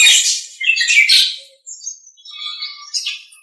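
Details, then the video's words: Nias hill myna in a master recording for training other songbirds: broad, harsh chattering bursts, then thinner high whistled strands and a faint low whistle, closing with a short rasping note. "Masteran Suara Jalak Nias"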